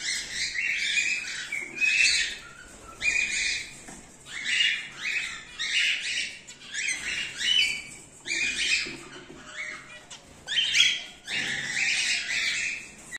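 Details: Cockatiel breeding colony of cream-face ino and normal grey birds calling in clustered bouts of harsh, scratchy screeches separated by short pauses.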